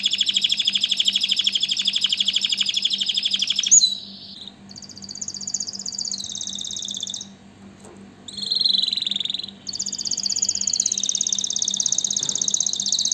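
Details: Canary song of fast buzzy rolled trills, broken by brief pauses, with a lower swooping trilled phrase near the middle before rapid high rolls resume; faint constant low hum in the background.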